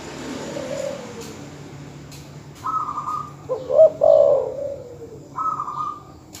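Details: Dove calls from terkukur or perkutut, played to rouse rival birds: a higher flat trilled note, then a short burst of low, emphatic coos, and another trilled note near the end.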